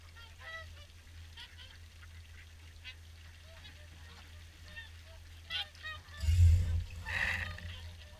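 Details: Swans gathered for an evening feed at Caerlaverock keep up a steady chorus of short, harmonic honks, with a sudden heavy wind buffet near the end.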